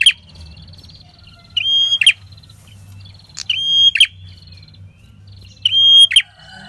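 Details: Red-headed prinia in ngalun song, recorded as a trapping lure for wild prinias: three phrases, each a drawn-out high pure note followed by a buzzy rasp, spaced about two seconds apart.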